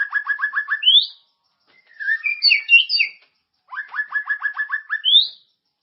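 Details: White-rumped shama song played to prompt caged birds to sing, full of character: two stuttering series of about six rapid repeated notes, each ending in a high upswept whistle, separated by a jumbled chattering warble.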